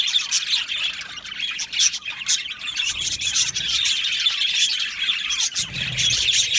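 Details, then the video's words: Budgerigars chirping in an aviary colony: a continuous high chatter of warbling twitters, scratchy notes and brief squawks from many birds at once, swelling and easing in loudness. "Beautiful Budgies chirping sounds"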